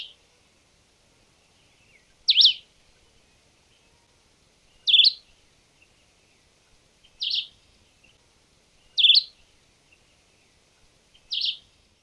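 A Red-eyed Vireo sings short, high, slurred phrases about every two seconds, five in all, with quiet background between them.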